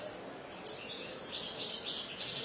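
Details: A softer passage of European goldfinch song: thin, high liquid twitters rising in intensity against a steady background hiss.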